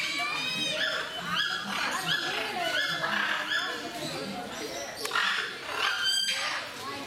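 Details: Blue-and-gold macaws kept at Mysore Zoo imitate human speech with clipped, whiny harmonic notes in loose runs, nearly one per second, while visitors talk continuously in the background.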